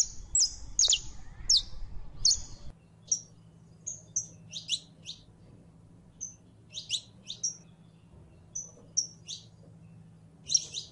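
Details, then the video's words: In heat, a female canary calls to attract a male for mating: crisp chirps and short whistled notes come in loose clusters, roughly eighty-five a minute, with a faint low hum behind. "HEMBRA EN CELO LLAMANDO A MACHO CANARIO PARA APAREARSE"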